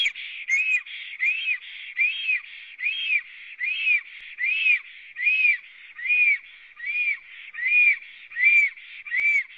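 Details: Black stork at its nest in Latvia, on 9 May 2017 at 19:32, recorded by a live nest camera after arriving and singing a long song: clear whistled arched notes repeated steadily, a little more than one per second, over a quiet background.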